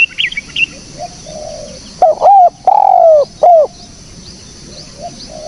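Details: Spotted dove, recorded for use as a lure, giving a clear three-part cooing phrase. A short note leads into a long, drawn-out, slightly falling coo and a final short coo. Faint high chirps from other birds sit behind it.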